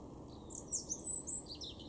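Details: Wild European robin in a garden in Weener, East Frisia, far northwestern Germany, in April 2023: high, thin, sweet warbled phrases in quick succession over a low, steady background hum.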